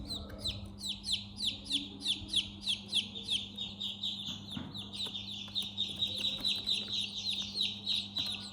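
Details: Young chicks chirping in their house, a regular series of loud, sharply falling high peeps about one every half second, then overlapping softer peeps from other chicks, low hum underneath.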